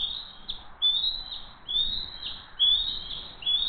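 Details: At dinner on June 22, 2023, the Hays bald eagles call with drawn-out, thin whistled squeals, four or five separate notes each sliding downward, spaced roughly a second apart.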